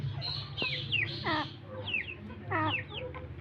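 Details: Partridge, called an Irani teetar, giving scattered harsh notes that sweep steeply downward, some in quick pairs, over a steady low hum.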